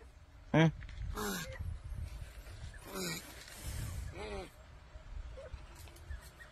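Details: A crow, described as smart and talking, gives about four hoarse, harsh notes with arching harmonic bands, spaced irregularly over six seconds, while people talk nearby in a quiet outdoor setting.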